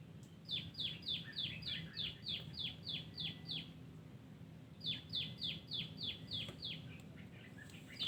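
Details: Wild yellow-vented bulbul (terucuk) in a garden, giving two quick runs of bright downslurred notes, about eleven, then after a short pause about seven more, evenly spaced, over quiet low background noise.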